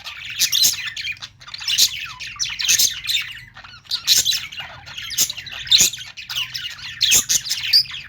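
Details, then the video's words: Parakeet chirping comes in grouped bursts of high, raspy squawks and chattering twitters, about one burst every second, with quieter gaps between; a soft low hum is audible throughout. "Budgies sounds | parakeet chirping sounds"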